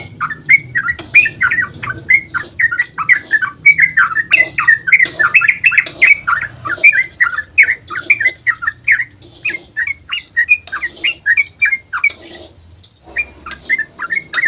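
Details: Long dawn 'ropel' outpouring of a yellow-vented bulbul, used to provoke rival bulbuls into singing: dense chattering, gurgled whistles that run for over ten seconds, a few brief pauses near the end, sharp ticks scattered through.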